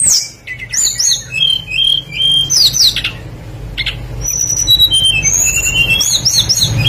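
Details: Tledekan singing hard as a lure to set other birds singing. Bright, sweeping whistles rise and fall in quick runs, with bursts of sharp clicks between phrases and a continuous low background hum.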